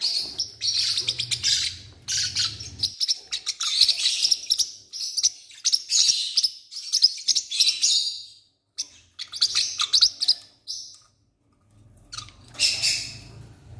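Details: Newborn Forpus parrotlet chicks in a nest, calling in dense bursts of high, buzzy, rapid peeping, with short pauses between volleys and a brief silence near the end.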